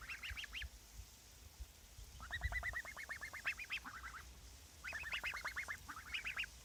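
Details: Three pet geese calling: bursts of quick, repeated nasal honks in rapid series, pausing between bouts, against a steady background hiss.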